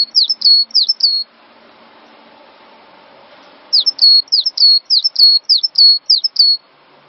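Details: Cinereous tit master song for training songbirds: three quick ringing phrases, a gap of about two and a half seconds with low hum, then six more high whistled phrases, each a sharp dip and a level tone.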